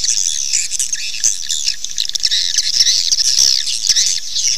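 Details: Swiftlet call recording used to attract birds to nest: a dense, continuous high chatter of overlapping chirps and buzzy trills, with no break or other sound.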